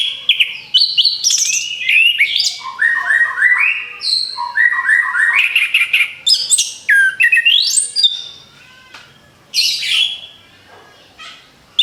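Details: Orange-headed thrush singing, played as a lure to attract other birds: a long, varied run of rapid whistled and chattering phrases with stepped descending note series and rising slurs, fading toward the end.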